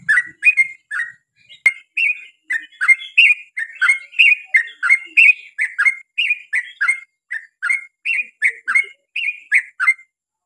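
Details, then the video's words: Yellow-vented bulbul song used to lure other bulbuls into singing: rich bubbling whistled phrases around mid pitch, short notes given in rapid chattering runs of two or three, repeated steadily throughout with a faint click near the start. "KICAU SUARA trucukan gacor ROPEL PANJANG pancingan trucukan agar bunyi MENJADIKAN trucuk gacor NYAUT"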